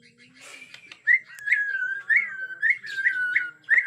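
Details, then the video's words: Bornean white-rumped shama, agitated, with natural forest sound: a steady whistled tone broken by bright upward flicks repeated about every half second, after a few soft notes. "Murai Batu Borneo Ngamuk suara asli hutan"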